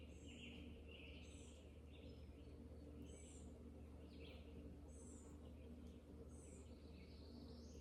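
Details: On a deck on 3 July, with chickens noisy nearby, a bird believed to be a Red-eyed Vireo gives short, robin-like warbled phrases, one every second or so, over a steady low hum. It is likened to a shorter robin summer song, with thin high notes from other birds faint above.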